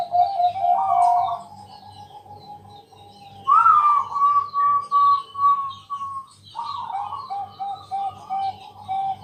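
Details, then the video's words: A night-time lure for other doves: a Bangkok zebra dove gives rolling coos, then a long sustained warbling coo and a string of short soft coos. Higher bird chirps and a low hum sit in the background. "Pancingan malam hari Perkutut Bangkok"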